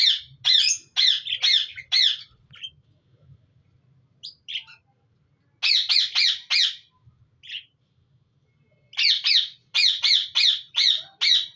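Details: Budgerigars in a breeding colony giving loud harsh squawking calls in rapid bursts of three to six notes, separated by short pauses, with a few softer chirps between bursts and a faint low murmur beneath.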